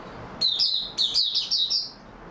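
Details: Oriental white-eye singing in stable form, recorded 28 February 2022: one continuous run of quick, bright, wavering twitters lasting under two seconds against quiet background hiss.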